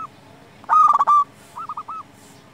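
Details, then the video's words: Singing local zebra dove, played as a lure to make rival doves sing: one loud phrase of rapid choppy coos ending in a sustained tone, then a softer three-note rolling coo. "Perkutut lokal gacor SEKALI PUTAR suara ini 100% Bikin lawan gacor nyaut"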